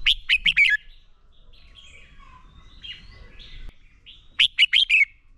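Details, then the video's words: Red-whiskered bulbul giving its fighting song, used for training: a quick burst of four to five loud, slurred notes, then a pause with faint chirps, and a second matching burst near the end. "Chào Mào Hót Đấu Kích Bổi Lên Lửa. Luyện Chào Mào Sổ Giọng Hót Căng Lửa."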